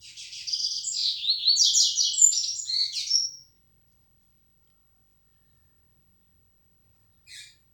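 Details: Flecha negra style song from a yellow-bellied seedeater: over three seconds of dense, high twittering phrases that rise and end in a clear thin whistle, followed by quiet and one brief chip.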